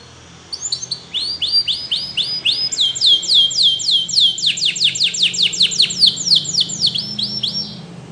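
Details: Canary; training song; training other canaries to sing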